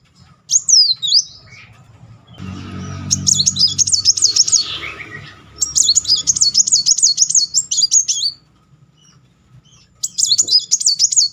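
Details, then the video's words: Brown-throated Sunbird singing continuously in rolling bursts, used as a lure to stir a silent bird into song: high, rapid, wavy trills in runs of about two to three seconds with short gaps, over a faint low hum. "Kolibri Muncang gacor ngeroll"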